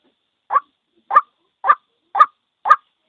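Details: Repeated calling of a single white-breasted waterhen, used as a trapping lure: five or six gruff, croaking notes spaced about half a second apart, otherwise quiet.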